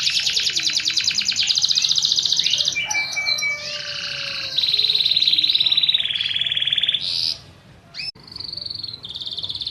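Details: Fighting canary training song made of long, rapid rattling rolls that hold at one pitch and then jump to another, with a short break near the end before a high roll resumes.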